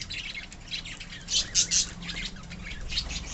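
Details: Pet budgerigars in a colony give soft warbling chatter with three loud, sharp high squeaks in quick succession.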